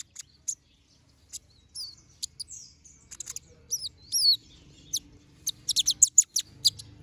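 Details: Olive-backed sunbird, young and still regrowing its feathers, in full song: thin, high chirps and short down-slurred whistles, then a fast run of sharp, piercing notes near the end, with faint low background noise.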